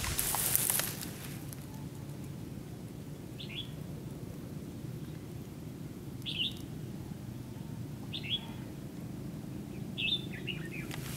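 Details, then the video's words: Red-whiskered bulbul kept as a decoy in a fighting trap to lure wild bulbuls; short, bright, downslurred whistled phrases every two seconds or so. A loud rustling burst opens the recording over a steady low background hum. "chào mào bẫy đấu"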